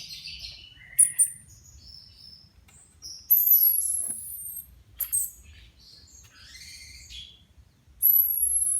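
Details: Freshly moulted caged Orange-headed Thrushes, four birds set together to test whether they are ready for contest training again; scattered, fairly quiet whistled fragments with sharp, very high thin notes and long pauses between bursts.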